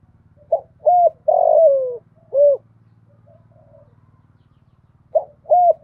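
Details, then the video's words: Decoy female spotted dove calling to stimulate and draw in males, 'thổ pha' style ending in one trailing note. Two short hoots, a long drawn-out descending coo, then a rounded hoot, and a second phrase begins after a pause. A steady low hum runs underneath. "Tiếng cu gáy mồi gáy gọi kích bổi chuẩn Giọng thổ pha, Cu gáy gáy gọi 1 hậu, giọng hạp bổi"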